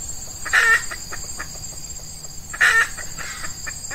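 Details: Red junglefowl, F1 female decoy drawing in an old wild male, early morning, hot season of Ramadan; two short strong clucks two seconds apart with faint chatter and a constant insect buzz.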